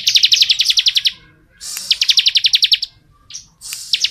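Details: Bar-winged prinia singing in the ngebren style: two long runs of a dozen rapid, crisp high chips each, separated by short gaps, with a brief extra phrase near the end.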